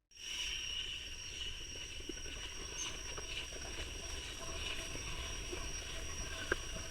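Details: Loud continuous drone like an aircraft or machinery, with sustained tones and no animal voice.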